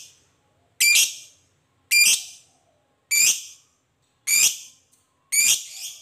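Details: Long ngekek chatter of a fighter lovebird, used as a lure to provoke rival lovebirds: five strident, buzzy, high squawks roughly once a second, sharp onsets fading quickly, with silence between them.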